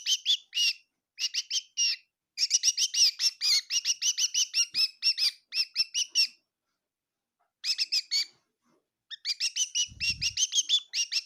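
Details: Bird chirping inside a kitchen in Tseminyu, Kohima: bursts of rapid sharp notes, a long silent gap, then renewed chirping with a low thump.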